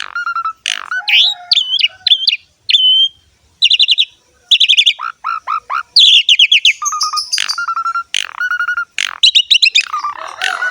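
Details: Asian pied starling in full, active song with varied fill-in phrases: mixed twisting whistles, rapid ticking trills, steady level whistled notes repeated several times, and a rough chatter at the end.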